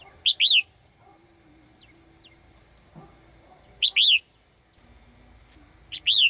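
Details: Female bird in a cage calling a male with short two-note whistled phrases, a brief chirp and then an arched whistle, repeated three times, with a faint steady high tone and low background noise.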